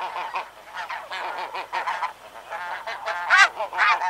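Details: A flock of snow geese flying past at Chincoteague, Virginia gives a dense chorus of nasal, barking honks, many birds calling over one another about twice a second.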